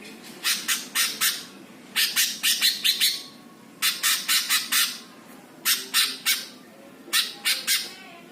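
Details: Greater green leafbird singing a master song meant to provoke other birds: bursts of harsh, rapid squawking notes, each burst of about four sharp strokes, repeated every one to two seconds against a faint background hum.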